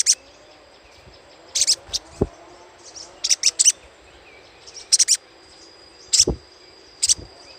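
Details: Little spiderhunter lure chatter: sparse groups of two or three sharp, high chips spaced about a second apart, with a thin steady whine between them.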